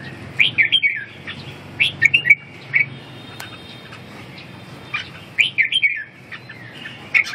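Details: Red-whiskered bulbul giving bright, warbled, chirping phrases in three bursts, each of four to six quick notes that rise and fall, separated by short pauses, over a low steady background hum.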